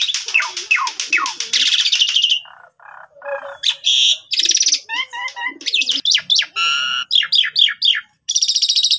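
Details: Asian pied starling song used as a lure to train young starlings, recorded on Chinese New Year: loud, varied phrases of rapid rattling trills, harsh buzzy notes and clear whistles, in bursts separated by short pauses.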